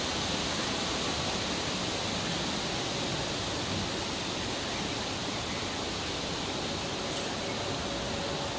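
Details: A steady, even rushing noise like flowing water fills the whole recording, with no animal calls heard.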